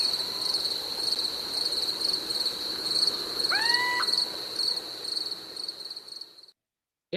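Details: Little Owl territorial song, played back: one short, rising, upslurred hooting note with clear harmonics, heard over a steady, high, pulsing insect trill that runs throughout before cutting off abruptly.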